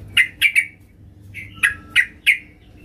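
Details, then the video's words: Female sooty-headed bulbul calling for a male, giving three quick chirps close together, a brief softer note, then three more evenly spaced bright chirps. "Trucuk BETINA MEMANGGIL JANTAN"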